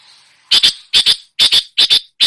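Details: Loud paired harsh notes from a long-tailed shrike imitating songbirds, each pair repeated roughly every 0.4 seconds over a soft background hiss.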